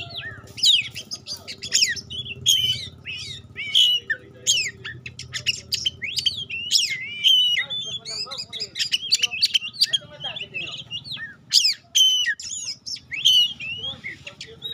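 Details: Oriental magpie-robin, pastol type, pours out a long energetic song of rapid sharp chips, whistled slurs and scratchy notes in continuous bursts, with a low hum behind.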